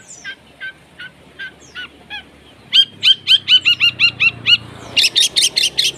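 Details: Long-tailed shrike singing with spaced, hooked notes that speed into a steady series of paired chirps, then a dense burst of high harsh notes at the end.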